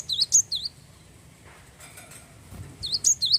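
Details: Brief Java sparrow song, used to encourage other birds to sing. A handful of high, clipped, bell-like chirps opens and closes the stretch, with a quiet gap in between.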